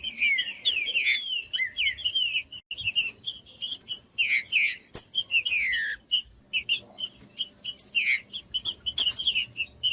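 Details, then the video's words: Green-winged saltator singing, meant to warm up other birds of its kind: repeated rich whistles slurring downward, set among a constant patter of sharp high chirps and a faint, unbroken high-pitched tone. "TRINCA FERRO CANTANDO"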